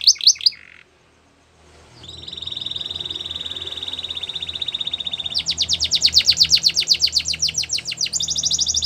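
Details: Russian canary in a training song, a brief trill, a pause, then a long thin steady tone with faint background hum, followed by a loud rapid trill.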